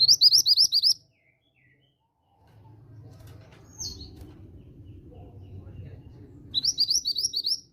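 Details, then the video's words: Female grey bushchat, used as a lure to get young males to sing: a quick run of seven high, upslurred chirps over about a second, a long quiet gap with low rumble, then the same chirping series again. "BURUNG MANTENAN GUNUNG BETINA GACOR || PANCINGAN JOSS UNTUK MANTENAN BAKALAN BIAR CEPAT NYAUT BUNYI"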